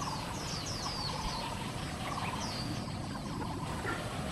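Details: Oriental magpie-robin, an exotic species in Taiwan, by Leopard Mountain Creek, Xinyi District, Taipei, on 18 July 2024, giving quick, high whistled phrases of down-slurred notes, partly masked by a steady rush of flowing water.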